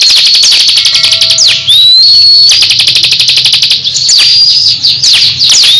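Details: Caged crescent-chested babbler competing with another bird: long rapid high trills, thin rising whistles high above, and sharp descending sweeps near the end.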